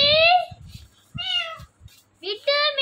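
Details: Indian ringneck parakeet mimicking speech, saying Mitthu: three nasal, harmonic-rich drawn syllables in quick succession with short gaps, the last sharply rising; soft low-pitched background voices.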